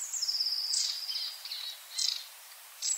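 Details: Yard in Joroinen with a long-tailed tit: a short high trill, then quick bursts of sharp, high, buzzy notes separated by pauses.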